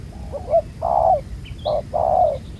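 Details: Spotted dove, a wild field bird with a black-spotted neck collar, at a ground-decoy trap giving soft stuttered notes and a long coo, then a short coo and another long drawn coo, faint chirps of small birds around.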